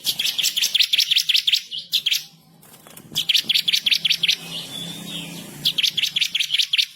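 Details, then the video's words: Bar-winged prinia in full, intense master song, delivering bursts of rapid, high, buzzy-ticking notes, roughly eight per second, broken by short pauses and a brief thin whistle. "burung MASTERAN ciblek kristal gacor // ngamuk ngotot ngerol nembak pedas"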